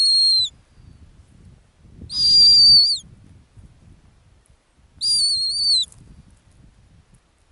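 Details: Sharp, high whistled calls from a female snowy owl on her Arctic ground nest, each under a second and slightly descending, spaced about three seconds apart amid near quiet.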